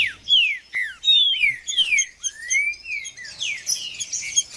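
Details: A 'judas' trinca-ferro, the green-winged saltator, gives clear sweeping whistles, several long downslurs and rising slides, ending in denser high twittering; meant to stimulate a cold bird.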